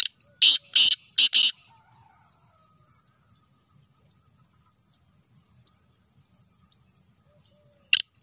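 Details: Black francolin recorded on 25 June 2024, giving a burst of four loud, harsh, grating notes in quick succession. A long quiet stretch follows, with faint high hissing, and another harsh note comes near the end.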